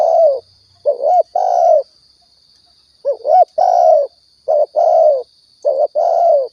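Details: Spotted dove from Riau, used to lure birds for hunting: loud mellow cooing in five phrases, each a brief rising note or pair then a sustained falling coo, delivered in quick succession over a thin constant high whine.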